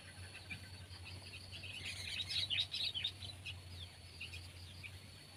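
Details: Sooty-headed bulbul (Pycnonotus aurigaster), known locally as kutilang, from Indonesia, in a pet-versus-wild comparison. Quick bright chirping notes cluster mid-clip, fading before and after, over a steady low hum and a constant thin high tone.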